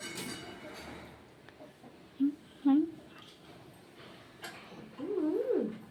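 A pet parrot gives a few short voice-like squawks, then a longer wavering phrase of speech-like mimicry.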